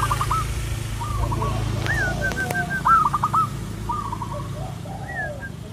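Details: Zebra dove song played as a training recording to make doves sing more often: short rapid purring trilled coos repeated in quick phrases, with a few higher slurred whistles from other birds and a steady low vehicle rumble.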